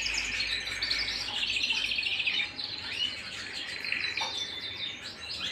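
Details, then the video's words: A canary singing at home pours out rapid twittering trills and bubbling warbles, thick and overlapping, with a brief dip near the middle before the song resumes. "canary bird - canary singing - canary sounds - canary singing at home"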